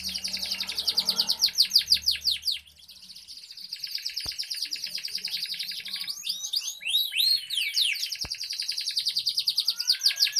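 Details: Canary in gacor form delivering a long ornate song: fast rolling trills of steep downward sweeps, a brief pause near three seconds, then mixed rising and falling notes building into rapid pulsed trills, two sharp clicks in the background.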